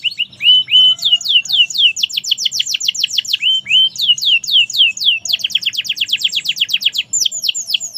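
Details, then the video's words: Canary in full, energetic song, pouring out rapid series of down-swept whistled notes, changing speed between slower slurred phrases and fast rattling runs, with high clear tones throughout. "Kenari merlok gacor"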